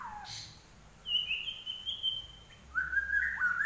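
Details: Common iora from Indonesia, a cage bird: a quiet slurred note, then a long, thin, slightly wavering whistle, followed by a lower whistled phrase that steps upward.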